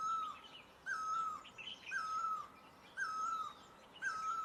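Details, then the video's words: Steady calling of a great barbet, Asia: resonant drawn-out notes with a quick lift and a drooping tail, spaced about a second apart, while smaller birds chirp and trill high above. "Great Barbet, นกตั้งล้อ, Pehˇ oˍ, Piˇ oˍ loeˇ, Pi luˇ ma"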